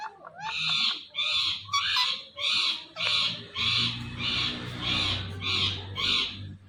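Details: Green talking Indian ringneck parakeet repeats a loud grating screech about ten times, almost evenly spaced at around one every 0.6 seconds, each note harsh and noisy, with a faint low hum behind.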